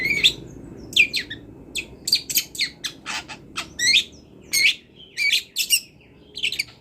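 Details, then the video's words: Song of a wild long-tailed shrike for training songbirds, a jumble of harsh chirps, buzzy notes and rising whistled slurs, uneven, roughly one to two notes per second. "CENDET GACOR BONGKAR ISIAN | MASATERAN CENDET BURUNG LIAR"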